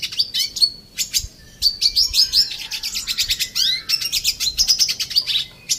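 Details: A red siskin (Spinus cucullatus) in an aviary sings a fast, high twittering song of buzzy trills and quick upslurred chirps, running almost without pause.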